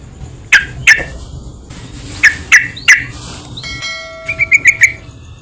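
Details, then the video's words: Yellow-vented bulbul lure calls to excite other bulbuls: sharp chips, single and paired, then a brief ringing tone and a fast bubbly run of five notes at the end. "PANCINGAN BURUNG TRUCUKAN , SEMUA TRUCUK PASTI IKUT BUNYI"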